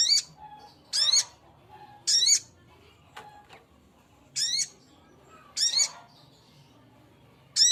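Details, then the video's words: Sogok ontong male calling a female, giving short rasping high-pitched bursts at uneven intervals, six calls with brief pauses, plus a soft low hum and a faint click in between. "Suara burung sogok ontong jantan memanggil betina"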